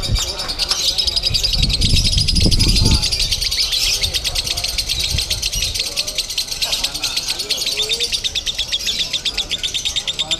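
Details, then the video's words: Lovebird in konslet style at a Bandung singing contest: a long, very fast buzzing trill of evenly repeated clicks lasting the whole stretch, with low rumbling handling noise and voices early on. "LOVEBIRD KONSLET"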